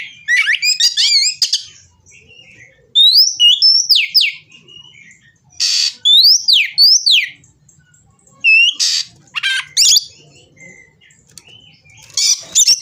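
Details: Fired-up Oriental magpie-robin, searching for a rival, gives loud clusters of upslurred whistles and harsh rasping bursts, grouped in phrases of several notes separated by pauses of one to two seconds.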